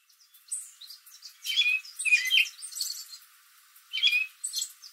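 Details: American robin perched in a backyard tree in the late afternoon, calling to other robins nearby; bursts of high, chirpy notes in two loose clusters with brief pauses, other robins answering in the background.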